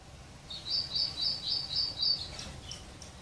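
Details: Sparrows enjoying water and food at a home feeder. A steady series of six quick, high, sharp chirps repeats roughly every quarter second, then fades into softer notes over low background hum.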